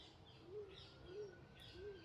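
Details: A stock dove calls from overhead at an outdoor rubbish-tip dig site, giving low, hollow cooing notes, three in about two seconds at an even pace, over a soft background hiss and a faint steady tone.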